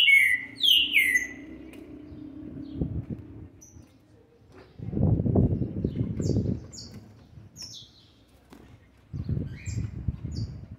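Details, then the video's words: Green-winged saltator youngster aged seven months and twenty days, 13 November 2020, opens with a bright descending whistled phrase; later only faint high notes amid low rumbling noise. "trinca ferro ( BRABO ) FILHOTE DE SETE MESES E 20 DIAS JÁ MOSTRANDO SUA GENÉTICA"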